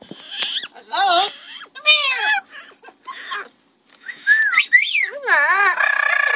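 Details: Two pet double yellow-headed amazon parrots producing a mix of wavering whistled notes, bending up and down, with raspy harmonic calls and chattering bursts, one brief pause midway.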